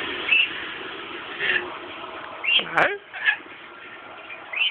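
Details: Scaly-breasted lorikeet named Charlie giving short, shrill screechy notes about once a second, with one lower, throaty squawk partway through.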